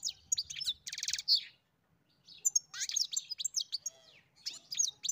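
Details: European goldfinch song on a farm, opening with sharp chirps and a harsh buzzy rattle, a brief silence, then resumed tinkling, twittering phrases.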